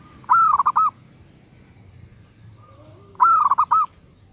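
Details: Female zebra dove calling for a male, two soft rolling coo phrases about three seconds apart, each a long note, a fast stutter of beats and a trailing note, with a faint lower coo between.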